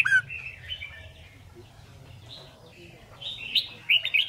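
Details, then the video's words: Red-whiskered bulbul singing in competition style, used as training for song learning: soft, scattered whistled phrases over a steady low hum, with a brighter cluster of rapid warbled notes at the close. "Chào Mào Hót Đấu"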